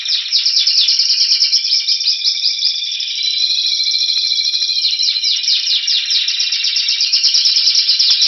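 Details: Spanish Timbrado canary, a caged bird in Anavissos near Athens, Greece, singing in February 2016 while awaiting spring: loud unbroken warbling of fast repeated chips, with a sustained bell-like roll in the middle and rapid rhythmic notes around it.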